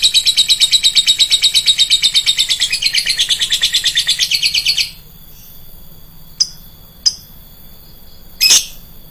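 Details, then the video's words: Lovebird lure call: about five seconds of fast, shrill chattering chirps at an even rhythm, followed by a pause broken by a few single sharp notes. "pancingan burung lovebird, suaranya nyaring bosku"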